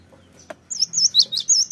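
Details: Cinereous tit lure call: a single click, then five or six high, thin whistled notes that waver up and down in a quick sequence.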